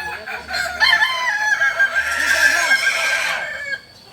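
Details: Kokok Balenggek rooster at a group crowing practice in Amko, Solok city, giving a long, bright, harmonic crow broken into several rising and falling steps, lasting over three seconds before fading.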